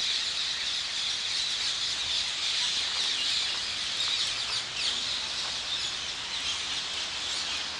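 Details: Several hundred rose-ringed parakeets gathered in the morning on the small island in the Hofvijver pond, The Hague, Netherlands, producing a dense, continuous, high-pitched screeching chorus with overlapping shrill calls and no pauses.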